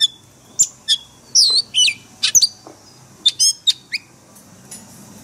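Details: Oriental magpie-robin singing forest voice for daily caged-bird training: spaced, sharp chirps and curling whistled notes, several short bursts with quiet gaps between them.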